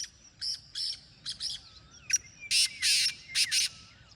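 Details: Black francolin calling: a soft run of harsh grating notes, then a loud rasping phrase of five clipped notes, the middle pair drawn out, with thin whistles from other birds behind.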